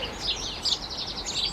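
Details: House sparrows in an Irish garden in early spring, just before sunset on a warm, fine day, give short, bright "chip chip" chirps, several overlapping in quick succession, amid a busy chorus of small birds singing territorial songs.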